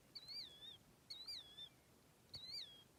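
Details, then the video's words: Birds chirping at Alvord Hot Springs, Oregon: three clear, high whistled notes, each rising steeply then sliding down with a slight wobble, spaced roughly a second apart against faint outdoor hiss. "Chirping birds"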